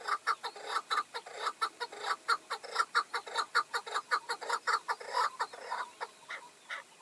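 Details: Chukar partridge calling during decoy hunting, a tethered bird facing five incoming wild males; loud, rhythmic chuck-chuck notes repeat rapidly for several seconds, harsh and mid-pitched, tapering off at the end.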